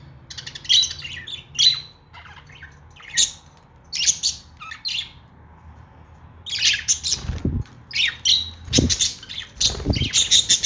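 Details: Pet budgerigar chirping indoors: bursts of sharp, high squawky chirps and twitters in clusters, with quiet gaps between, then a denser run of chattering chirps toward the end.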